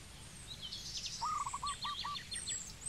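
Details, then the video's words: A single low, rapid stuttering coo from a zebra dove in Cambodia, trailing off into a few spaced single notes, amid loud sharp chirps from other birds. "Zebra Dove Bird call"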